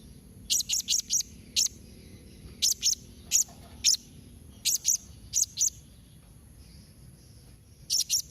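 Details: A blue-crowned hanging parrot repeats piercing, high-pitched notes in pairs and quick runs, in the style called memanggil nembak mbeset, used to make other hanging parrots answer. There is a longer quiet gap before a final pair.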